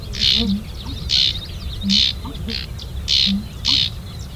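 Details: A Sedge Wren (Cistothorus stellaris) gives six dry, buzzy, high chattering bursts, each about a third of a second, spaced roughly every half to one second, over faint low background noise.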